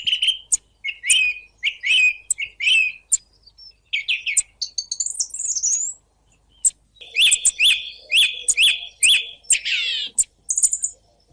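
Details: Song thrush song built from two merged recordings: short bright phrases near the same pitch repeated several times in quick runs, interspersed with high thin whistles and sharp clicks, with a brief pause midway.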